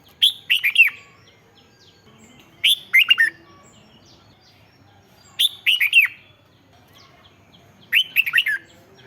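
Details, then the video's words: Red-whiskered bulbul song used to liven up caged birds: four evenly spaced phrases, each of three or four quick, sweet, falling slurred notes, about every two and a half seconds against a quiet background. "เสียงนกกรงหัวจุก สำหรับต่อ หรือ เปิดให้นกคึก เสียงเพราะๆ"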